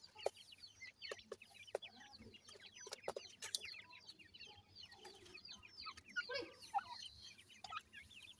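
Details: Feeding grey francolin chicks aged seven days: a steady mass of high, squeaky peeps from many chicks, punctuated by sharp clicks and knocks, with soft lower chirps near the end.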